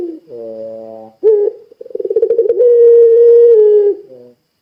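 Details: Puter pelung spotted dove calling to make other doves call too: a low vibrating coo, a sharp note, a quick pulsing trill of about twenty beats, then a long level coo ending in a soft low note.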